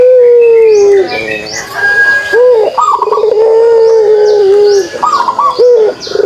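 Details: Puter pelung dove giving its kugeruk call: several long low sustained coos, each launched by a short rising and trilled note, in phrases roughly every two to three seconds, with other birds chirping faintly.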